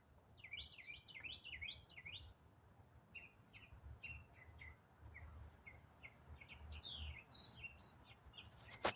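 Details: Autumn songbird singing a long non-stop complex riff: rapid zigzag notes at first, then a string of short slurred whistles and quick warbles, faint against a steady low hiss.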